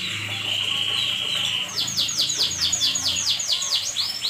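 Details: Canary singing at night. A steady high whine gives way to a fast trill of repeated descending notes, about six per second, over a loud constant background hiss.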